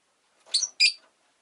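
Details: Two sharp, raspy chirps from a Rosy-faced lovebird, given about a quarter second apart, each a short harsh burst with a quiet background.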